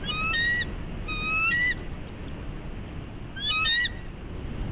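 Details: On Catalina Island, California, 11 March 2016, a nesting bald eagle on high alert calls in short bursts of several piping whistled notes, rising and falling slightly, with pauses of over a second between bursts.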